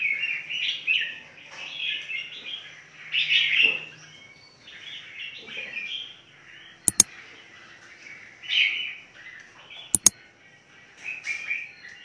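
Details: Red-whiskered bulbuls kept in a large breeding aviary, Phetchaburi province, give short bubbly warbling phrases separated by pauses, with two sharp metallic clicks and a low hum in the background.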